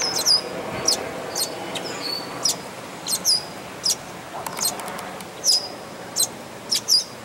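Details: Nestling red-winged blackbirds at Dufferin Islands give a busy run of sharp, high-pitched squeaks and tiny downslurred peeps, roughly a dozen in seven seconds, with faint soft rustling and background hiss.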